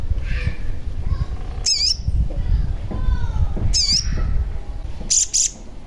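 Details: Sogon lure recording meant to prompt a caged sogon to sing or to draw birds closer: a few sharp, high chirps with sweeping notes, spaced out, over a steady low rumble of background noise.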